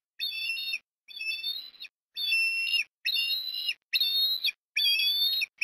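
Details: Osprey calling at the nest during afternoon food deliveries, Port Lincoln, Australia, 18 October 2021. Six high whistles follow each other at a regular pace, each slightly slurred and with overtones. Quiet background.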